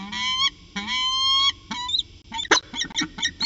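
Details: Peregrine falcon pair in afternoon exchange at Orange, January 2019: two extended rising whines, then a rapid run of harsh clipped chips and clicks, low hum beneath.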